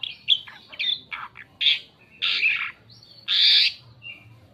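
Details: Asian pied starling singing varied phrases used to draw in other birds: short clipped notes, then loud broad harsh squawks, ending with a faint whistle.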